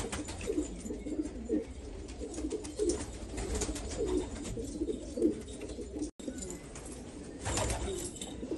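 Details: Black Afghan pigeons from Afghanistan cooing: low, throaty rolling coos overlap in a steady chorus, with a brief gap near the end and a burst of broadband rustling afterward.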